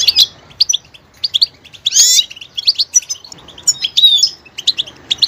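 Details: Goldfinch offering varied singing: sharp high chirps, a sudden loud buzzy rasping burst, then thin whistled slides and twittering phrases.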